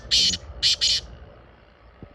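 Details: Black francolin (Francolinus francolinus) call: three harsh, rasping notes in quick succession, the last two close together, over a quiet background.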